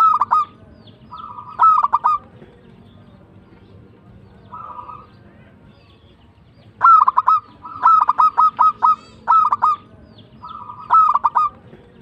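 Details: A local zebra dove delivers its tumbak cucukan song, with bursts of sharp, rapid cooing notes broken by long quiet gaps and occasional short rolled phrases over faint background hiss.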